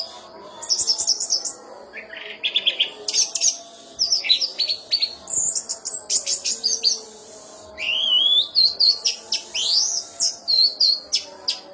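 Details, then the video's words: Champion orange-headed thrush in full song with special fill: rapid varied phrases of high chirps, sharp clicks and sweeping whistles, including rising slurred notes, repeated in quick bursts with brief gaps. "ANIS MERAH ISIAN ISTIMEWA JUARA NASIONAL"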